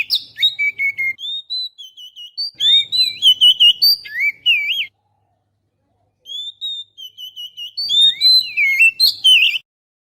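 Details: Oriental magpie-robin song played as a lure to attract birds, recorded on a GoPro Hero: two long bursts of quick, varied whistles, trills and looping slurred notes, separated by a silent gap of over a second.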